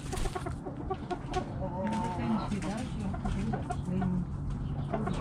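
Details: Backyard chickens clucking: a busy run of short, low, nasal clucks and murmurs from several hens, with a steady low hum underneath.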